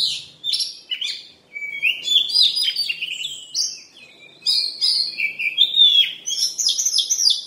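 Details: Oriental magpie-robin singing a fast, varied run of bright whistles, buzzy notes and twittering phrases, with brief pauses between bursts.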